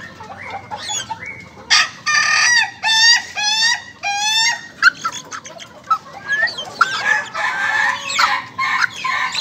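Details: Young Ayam Ketawa chicken crowing in its laughing style: a quick run of repeated, stepped harmonic syllables, about two per second, followed by rougher broken notes. Faint high bird chirps are heard nearby.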